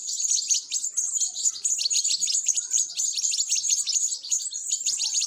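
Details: European goldfinch chicks being fed, calling in a frantic high-pitched chatter of fast, repeated thin chirps that runs steadily from start to finish.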